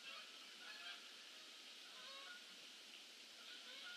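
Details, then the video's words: Many geese flying in for the evening on a late November day, their honks merging into a constant, crowded clamour of overlapping calls. "GEESE ARRIVE FOR THE EVENING STAY"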